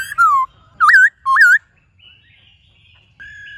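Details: White-cheeked laughingthrush giving three loud whistled notes, the first slurring down and the next two wavering up and down. After them comes a quiet pause with a faint steady whistle.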